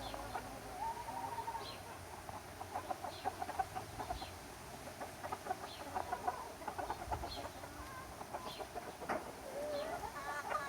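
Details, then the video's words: Chickens and roosters in summer, a flock giving scattered short clucks and a few longer calls at moderate distance, with steady background noise. "Chickens and roosters enjoying summer time - Real chicken sound effect"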